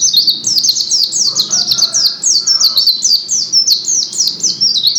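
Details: White-eye in full, energetic song, Gresik: rapid high-pitched descending chirps tumbling one after another, with faint lower tones briefly in the background.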